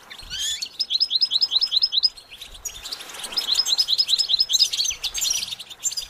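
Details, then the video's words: Goldfinch twittering, including runs of short, evenly repeated high chirps strung in quick series, followed by denser mixed tweets and trills. "Developing the Goldfinch’s Talent- How do you Motivate it to Sing"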